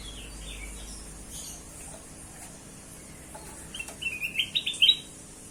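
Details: Kutilang emas bulbul, sound used to lure other birds: mostly quiet hiss with faint scattered ticks, then a brief burst of high, bright, rapid chirped notes near the end.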